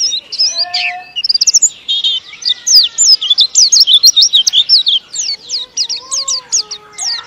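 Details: Captive white-eye from Indonesia, kept as a songbird, in a long, fast, tightly packed song: rapid high twittering notes, many sharply rising and falling, run together with barely a pause, over a faint lower whistled tone.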